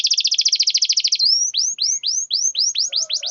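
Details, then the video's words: Canary song played to stimulate a mute, lazy canary: a fast even rattle of clipped notes for over a second, followed by a string of upswept whistles roughly three per second. "Pancingan kenari macet malas bunyi bisu pasti langsung nyaut"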